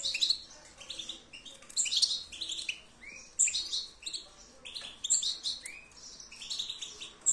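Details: European goldfinch song of liquid twitters and rising chirps in loose phrases, with sharp high notes scattered through and brief pauses between bursts.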